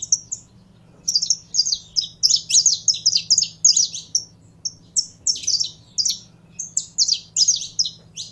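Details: Saffron finch being warmed up by its keeper, singing fast runs of high, bright chirped notes in quick bursts with a brief pause midway, over a steady low background hum.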